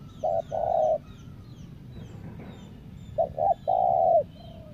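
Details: Decoy spotted dove from Lombok, used to lure wild doves, gives a short coo plus a long coo, pauses, then repeats with two short notes and a long drawn-out coo; faint high bird chirps behind.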